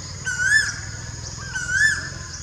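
Blue-faced malkoha giving two rising, whistled notes about a second and a half apart, over a steady low rumble of background noise.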